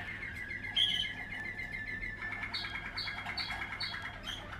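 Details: Waterslager canary of a 2020 line singing: rolling, bubbling trills, then a quick run of repeated clipped notes with brief high whistled tones above, over a low steady hum.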